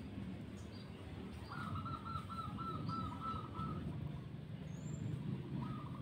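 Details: A wild zebra dove (perkutut), one of two perched high in a mango tree on an overcast morning near a village, gives a rapid, ringing run of soft coos lasting about two seconds, with a brief repeat near the end; faint high chirps over low rumble.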